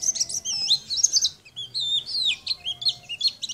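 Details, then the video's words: [4, 'likely', 'song', 'Sunda white-eye in lively song, used as a model for training other birds to sing: rapid, high, twittering whistles and slurred notes in quick bursts, with a faint low hum behind.'] "Masteran pleci gacor"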